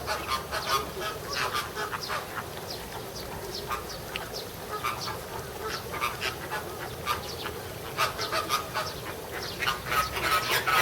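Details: American flamingos (Phoenicopterus ruber) quarrelling at Ueno Zoo, June 2016: a dense chorus of harsh, goose-like honks and grunts, several birds calling over one another in quick, irregular bursts.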